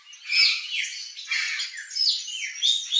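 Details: A wild Turquoise-fronted amazon (Amazona aestiva) in its natural habitat in Brazil gives harsh, squawking calls mixed with shrill chattering notes, several bursts in quick succession with no pause longer than a moment.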